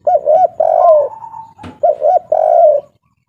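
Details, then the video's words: Spotted dove cooing in the local three-note style known as kuk 3, played to encourage caged doves to sing: two short rolling coos, a longer coo with a trailing note, then the pattern repeats. "Derkuku kuk3 lokal gacor ngamuk suara besar"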